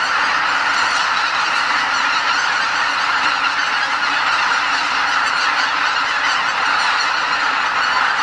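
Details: A vast flock of about 80,000 Greater White-fronted Geese (Anser albifrons) leaving their roost before dawn at Lake Miyajimanuma, Hokkaido, during spring migration, calling nonstop in a dense wall of high, yelping honks blending into a steady roar.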